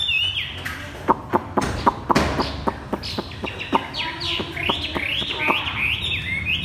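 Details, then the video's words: Chinese hwamei, a purchased cage bird, in 'thắt cổ chai' style. A string of sharp knocking clicks leads into fast, varied downslurred whistles repeated in quick succession. "Chim hoạ mi đặt đất hót thắt cổ chai thắt cổ chai"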